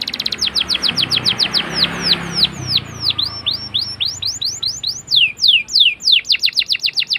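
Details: Canary song used as a lure for young canaries learning to sing: series of descending swept whistles and fast chirps, with a low musical hum in the background.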